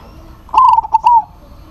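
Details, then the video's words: Zebra dove of a local strain, singing eagerly to call a rival: one brisk phrase of four or five soft, staccato coos run together, the last note slightly longer and falling, over quiet background. "PERKUTUT LOKAL GACOR MEMANGGIL LAWAN PASTI NYAUT"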